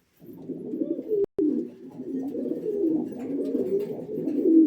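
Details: Red-breasted pigeon indoors giving low, throaty, rolling coos that run almost without pause, broken by a brief click near the middle.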